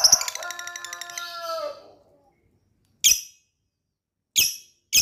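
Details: Lovebird in Indonesia opens with a rapid, buzzy run of stacked notes that slows and drops in pitch. After a pause come three short, loud, high chirps, each followed by silence.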